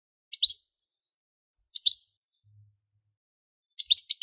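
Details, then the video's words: European goldfinch uttering scattered bursts of quick, high twittering chirps separated by pauses of over a second, with near silence between them. "Most sweet goldfinch singing"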